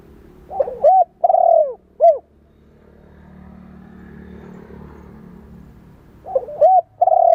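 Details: Spotted dove phrase used to train and stimulate young birds: lead-in notes, a long descending coo and a short coo. A low rumbling pause follows, then the phrase starts again.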